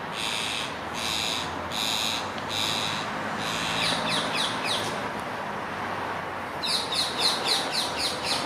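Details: Rose-ringed parakeets fight over a future nest site in November 2022, with harsh, grating aggressive screeches pulsing about twice a second, fading, then bursting into a quicker, shriller volley.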